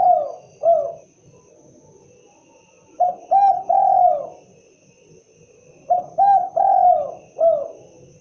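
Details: Spotted dove cooing in repeated four-note phrases, each a short coo, a quick double, a long slurred falling coo and a brief closing note, with phrases roughly three seconds apart.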